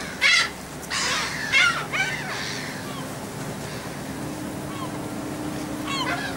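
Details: Seagulls fed aboard a ferry from the Dutch island of Texel on 28 March 2014 give several loud, harsh cries in the first two seconds, then quieter scattered calls over low engine noise.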